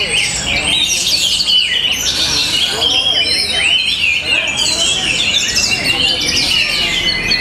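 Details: Orange-headed thrush from Bali (Tabanan) singing loudly and without pause, a busy stream of high twittering phrases and looping whistled slurs, with low murmuring voices in the background.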